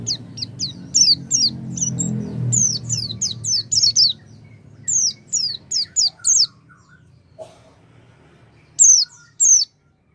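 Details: Oriental white-eye, a lure to prompt a silent white-eye to sing: bursts of high, down-slurred chirps in clusters, then a pause with a few soft lower notes, and a final pair of loud chirps.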